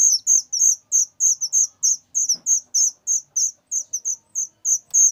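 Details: Whistling thrush chick calling very loudly with quick, high, slightly buzzy notes repeated about three times a second, plus a faint low knock partway through.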